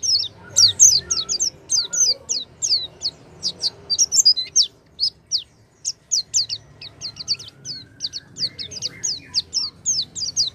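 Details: Oriental white-eye song used as a lure to get a silent white-eye singing: a fast, continuous, high-pitched twittering stream of thin chirps and trills, with a brief pause midway, over a soft low hum.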